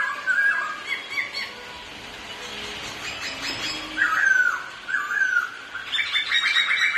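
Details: Two Black-throated laughingthrushes singing against each other while dancing trade rich, slurred whistled phrases, ending in a quick run of repeated bright notes, with a faint background hiss throughout.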